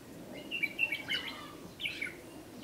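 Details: Red-whiskered bulbul at a decoy fighting trap, recorded 8 July 2016, scolding a lure bird: a cluster of clear chirped notes, then a pause and another short whistled burst.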